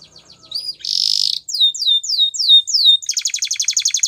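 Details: Spanish Timbrado canary singing a training song: a few soft notes, a dense buzzy trill, a run of repeated descending whistled slurs, then a rapid metallic rattle.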